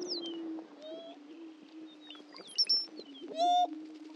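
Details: Greater prairie-chicken lek at Dunn Ranch Prairie, Hatfield, Missouri: a low, level booming hum runs throughout, overlaid by thin high whistles, a short sliding squeal and one loud rising whoop near the end.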